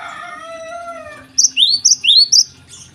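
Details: Java sparrow singing in the morning; a lower, steady harmonic whistle fades out, then four high, upward-sweeping piping notes ring out in quick succession.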